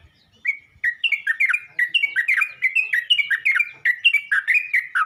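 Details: A Yellow-vented bulbul calls to other bulbuls with continuous bubbly, liquid chirping, rapid notes rising and falling without pause through the whole stretch.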